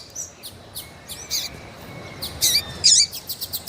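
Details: Double-collared seedeater female in heat, peeping and calling: soft scattered high chirps, a faint thin whistled tone in the background, then louder buzzy notes and a quick closing series of short chirps.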